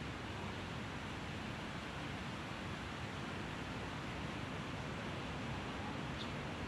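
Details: Steady broadband rushing noise, like wind or distant surf, fills the whole recording with no animal calls.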